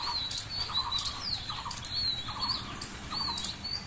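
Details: A tailorbird, feeding on a large umbrella, gives high, thin chirps and short sliding notes in quick irregular bursts, with steady low background noise.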